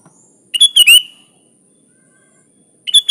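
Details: Sooty-headed bulbul, full natural fill-in song for tutoring: one rapid burst of liquid chirps ending in a sliding whistle, then silence before another phrase begins at the very end.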